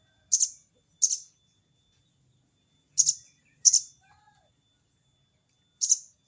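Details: Sogon calling a rival, a harsh 'crecet cerecet' call: five short, dry, high bursts at irregular spacing over a quiet background.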